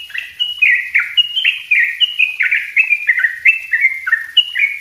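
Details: Continuous bubbly song of a sooty-headed bulbul, dense and energetic, kept for training other birds: overlapping slurred whistles pour out almost without break, rising and falling rapidly over five seconds.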